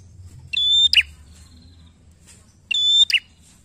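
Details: Bar-winged prinia singing strongly, used as a lure to get other birds singing: twice, a sustained high whistle followed by a sharp falling double note, the phrases about two seconds apart in an otherwise quiet background.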